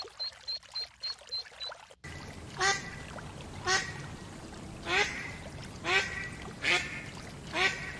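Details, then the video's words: Ducks on a pond: brief high peeping at first, then loud, separate nasal quacks about once a second against a steady noisy background. "PATOS- SOM DE PATO- DUCK SOUND"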